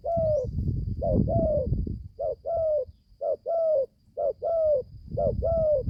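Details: Spotted dove, a young bird just come into voice, on its first forest training outing: repeated two-part coos, short then long and falling, about one per second, with bursts of low rumbling noise.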